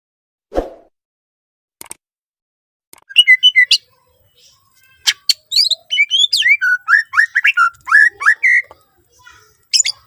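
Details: Greater green leafbird singing constantly with a rich, varied repertoire, played as a lure to get other green leafbirds to sing; a thump and scattered clicks open, then rapid whistled notes, sharp chips and downslurred phrases crowd the second half.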